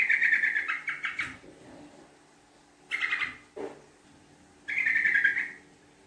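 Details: Yellow-vented bulbul lure call in a fast, long chattering delivery: three bursts of rapid, harsh pulsed notes, each about a second long, separated by short pauses, plus one lower brief note.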